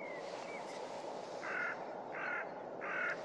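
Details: Three harsh, nasal honks from a snow goose at Starene bird station in 2023, spaced under a second apart, over a steady rushing background with faint thin whistles at the start.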